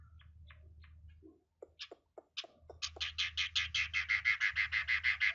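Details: Chinese hwamei, quieter: scattered short chirps and clicks, then an accelerating rapid series of evenly spaced notes, about three per second, over a steady low hum.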